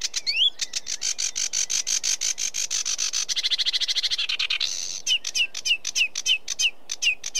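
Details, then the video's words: Sedge warbler singing a fast, continuous stream of dry, buzzy notes that speeds into a rattling trill, then breaks into short slurred whistles repeated about every quarter second. "Sedge Warbler Bird Call Bird Song"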